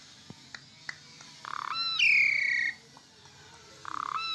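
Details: Asian pied starling singing: a few clicks, then a buzzy burst leading into a loud long descending whistle, followed by another buzzy note.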